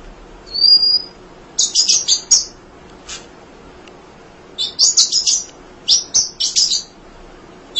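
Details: Munia singing tirelessly, kept as a tutor bird for other songbirds: a thin high whistle, then bursts of bright, buzzy chirps in two clustered phrases separated by a short pause, over a quiet background.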